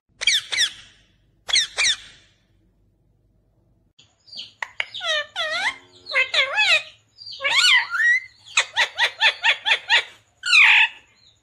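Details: Talking parrot, called mitthu, said to speak words like mummy and papa; a run of squeaky, warbling voice-like notes with sliding and wavering pitches, short bursts after a pause, then rapid chirpy syllables, quiet background.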